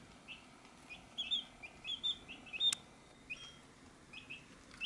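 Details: Chicks feeding at a dish peep in quick, uneven runs. The notes are high and thin, with a few clear whistled ones in the middle. There is one loud sharp click, and the calls grow sparse toward the end.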